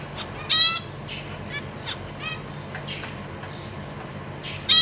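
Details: Captive zebra finch family, newly fledged babies practising flight, April 2023: one loud nasal honk, then softer buzzy calls and flutters, and another loud honk at the end.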